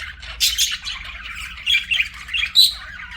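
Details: Budgie kept as a pet, a few loud squawky bursts separated by softer warbling, ending in a thin whistled chirp, over a low hum.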